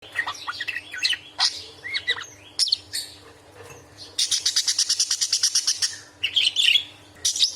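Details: Angry budgerigar giving loud, sharp chatter, used as a tutor recording for other songbirds: scattered harsh chirps and squeaky notes, then a rapid run of about a dozen clipped pulses, then more scratchy chirps; faint low electrical hum.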